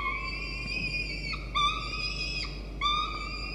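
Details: Peregrine falcon chick, still hungry after being fed, begs by nibbling the adult female's talons and beak: sustained reedy whistled wails broken into several long notes with small upward starts, over low hum.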